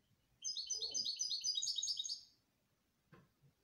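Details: Canary song of rapid high repeated notes building into a dense trill for about two seconds, then a brief knock and quiet.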